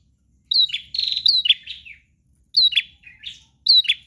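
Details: Bar-winged prinia giving loud, insistent song: quick series of piercing chirps in three bursts, clean quiet background.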